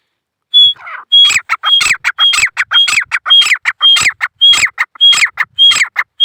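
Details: Male grey francolin (teetar) in jungle, giving its loud repeated call: after a soft opening note, a rapid series of ringing phrases, each a pure high whistle then harsh descending notes, nearly twice a second.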